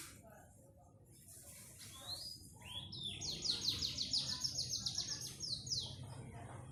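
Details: Panda canary song, opening with soft scattered chirps, then a fast, even trill of high repeated notes lasting about three seconds, ending in a short slurred whistle over a low background rumble.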